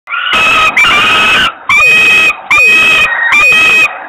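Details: Two hungry young common kestrels on a ledge doorstep in Włocławek, Poland, screaming to beg as their mother arrives on 7 June 2021 in mid-afternoon: harsh, grating, clipped screeches in bursts of about half a second to a second, with short gaps between them.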